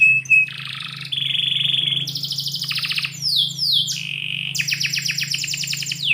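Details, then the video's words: Canary singing inside a house in the morning, moving through held buzzy trills, a rapid pulsed roll, sweeping downward whistles and a final quick chirping series; steady low hum behind. "KICAU BURUNG KENARI - DIPAGI HARI DALAM RUMAH"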